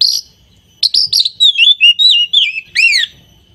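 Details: Captive oriental magpie-robin singing: a burst of harsh chirps followed by a string of wavering, descending whistles and a final rising-falling sweep, over a thin steady tone.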